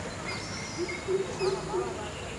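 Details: Southern coucal calling: a short series of four low, hollow, evenly spaced notes about a third of a second apart, with faint higher chirps of other birds in the background.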